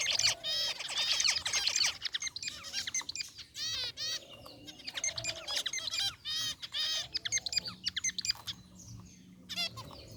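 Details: A flock of zebra finches, including a white bird, chirping in their aviary cage: repeated short nasal, harmonic calls in irregular bursts, loud at first, then scattered, with a faint steady hum in the background.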